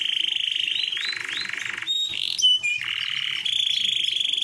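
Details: Canary song meant to attract a female: long, high, rapid rolling trills with brief whistled slides between tours, nearly unbroken for over four seconds.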